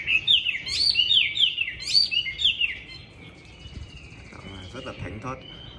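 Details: Caged Chinese hwamei singing on a very windy, cold day: a run of loud, rich whistled phrases, rising and falling and repeated in quick succession for about three seconds, then quieter fainter notes with some background noise.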